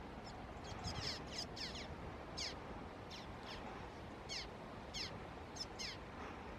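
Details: Juvenile common waxbills at Canidelo, Vila do Conde, Portugal, on 30 November 2016, give thin, high, buzzy chips, about a dozen in quick irregular bursts, over a steady rushing background hiss.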